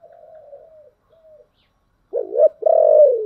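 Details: Spotted dove with a 'giọng thổ đặc' voice, calling to provoke wild doves into answering. Soft, faint coos at first, then after a pause a loud, deep phrase: two short rising-falling notes followed by a long drawn-out coo.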